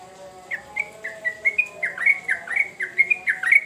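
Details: Sooty-headed bulbul singing energetically, a recording used as a lure to stimulate young birds: a run of short, bright, slurred whistled notes, each dipping then rising, about two per second, with a faint low steady hum underneath.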